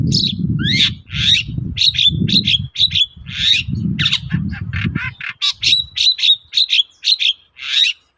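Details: Long-tailed shrike singing to provoke answering shrikes: a quick string of squeaky, harsh notes and chattering trills, about two each second, with a low rumble in the first half.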